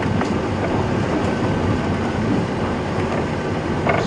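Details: Steady rumble of wind and vehicle noise on a sunrise safari drive, with no animal calls.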